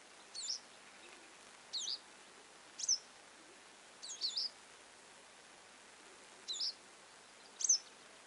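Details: Repeated sharp, high-pitched chirps of a Western yellow wagtail, six brief swept notes at irregular one-second intervals, with steady faint hiss and no other clear sounds.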